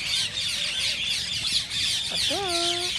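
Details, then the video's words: Rose-ringed parakeets, green parrots, in a busy, continuous, high warbling chatter from several birds, meant to stimulate singing and mating, with a lower drawn-out harmonic squawk near the end. "ببغاء الدره تحفيز رهيب رهيب"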